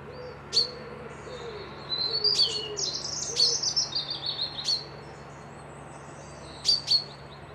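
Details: Birds whistling at Piperdam Lodges near a loch in Dundee during a peaceful midweek break: sharp, high chirps and short whistled phrases come in bursts, with a brief bubbling run in the middle, over a steady low hum.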